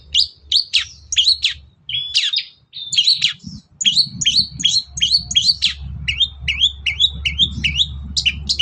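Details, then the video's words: Morning song of a long-tailed shrike, meant to goad other birds into calling back: rapid, repeated chirping phrases with short rising and falling whistles, steady and busy throughout, over a low background hum. "CENDET GACOR PAGI HARI BIKIN BURUNG APAPUN EMOSI NYAUT BUNYI"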